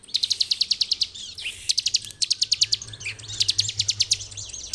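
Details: Bar-winged prinia in ngebren song for master training, giving quick trains of piercing high chips, each burst lasting about a second, separated by short squeaky notes and gaps.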